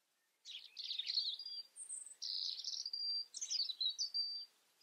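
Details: European robin delivering three short phrases, each a scratchy, warbling burst that ends in a thin, level, high whistle, with brief pauses between them.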